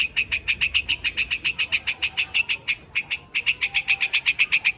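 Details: Rapid run of sharp, rasping chatter notes from a white-headed quạch mốc calling to its flock. The notes come evenly, several per second, with one short gap before the series continues.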